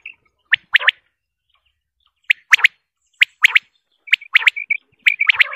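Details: Quail calling in short clusters of two or three sharp, whistled notes, with quiet gaps of about a second between bursts and a thin steady tone between some notes, against a silent background.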